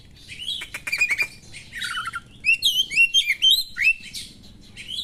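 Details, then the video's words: White-rumped shama in sharp song mixed with small-bird imitations; opening dry rattling ticks, then a flowing string of bright, slurred whistles rising and falling in rapid succession. "suara burung kacer materi tajam burung2 kecil,mengungah emosi kacer"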